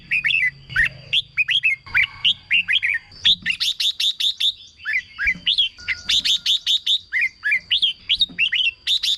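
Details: Continuous red-whiskered bulbul song for exciting caged birds: bubbly sequences of short whistles and rising-falling slurs, fast repeated notes in groups, with a steady high electronic tone throughout.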